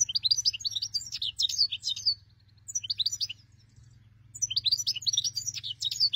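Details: Hunting-lure recording of a European goldfinch singing: three lively bursts of rapid, liquid twitters and buzzy chirps, each lasting one to two seconds with brief gaps between, over faint low background hum.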